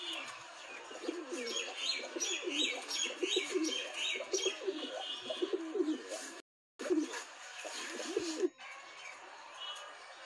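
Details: Paired Ambarsira fancy pigeons giving deep, rolling coos in steady repeated bursts, with bright chirps from other small birds above and a brief gap partway through.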